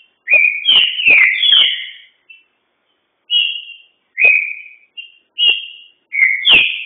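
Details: Green-winged saltator singing at speed in captivity: bright whistled phrases with abrupt downward strokes and slurred high notes, a long opening burst, then shorter repeated motifs after a pause.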